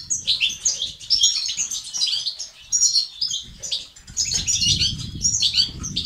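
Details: European goldfinch song in batbata and sastasat style, used to stimulate males into singing and activity; twittering runs of bright chirps and buzzes, pausing briefly, over a low rumble that swells toward the end.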